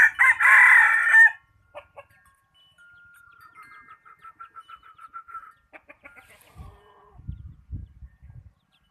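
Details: ['Decoy chicken used for catching birds, praised for its fine voice: one loud, harsh crow lasting over a second, followed by a run of quick soft clucks and faint tones, with low thumps near the end.']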